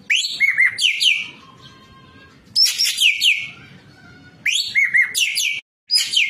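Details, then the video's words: Training recording for cage birds of a white-breasted kingfisher (ekek keling) singing in full voice with many fill notes: dense bursts of buzzy, scratchy chatter and repeated downslurred whistles, about every two seconds, with fainter notes between. "MASTERAN BURUNG EKEK KELING GACOR FULL ISIAN"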